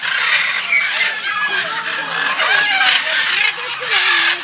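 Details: Macaws at Safari World, Bangkok, give harsh, raspy squawks that overlap in a noisy stream, with louder bursts every second or so and faint voices underneath.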